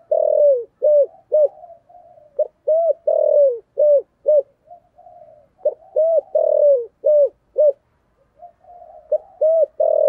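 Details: Spotted dove cooing in the 'giọng thổ cục đinh' style to lure wild doves. Repeated phrases of deep hollow coos run through the clip, each containing one long falling note, with softer murmurs between phrases.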